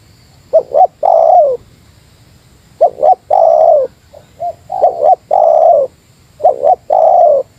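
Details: Spotted dove of the Meratus type challenging a rival while luring: repeated low phrases of a short double note followed by a sustained hoarse coo, four phrases with a softer brief note between.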